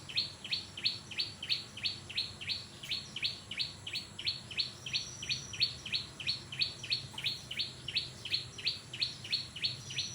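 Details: Orange-spotted bulbul in full voice. A bright, sharply upswept note is repeated about three times a second, very evenly, over a faint steady background hiss.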